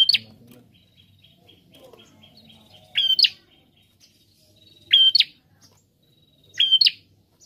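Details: Prinia in lively song, giving a high steady whistle ending in a buzzy upswept flick, repeated roughly every two seconds, with faint low rumbling early on.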